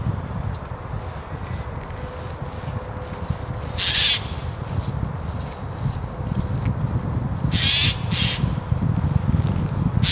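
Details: Noisy jay calling in Christchurch Park while a tawny owl sleeps in the daytime. Four loud, grating screeches come at irregular gaps, two close together near the end, against steady low rumble and faint distant chirps.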